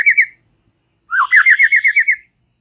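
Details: Relaxed chattering white-rumped shama song for prompting young and young wild-caught birds: a brief trilled phrase, a pause, then a rising slurred note leading into about nine quick wavering whistles at an even pitch. No other sounds.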